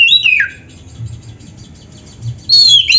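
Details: Kacer, or oriental magpie-robin, singing: a quick descending whistled phrase, a quiet pause, then a bright sustained high whistle ending in a downward slur.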